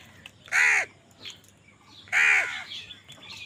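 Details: Two loud, drawn-out, grating caws about a second and a half apart from crows fighting for food, with light chirps after them.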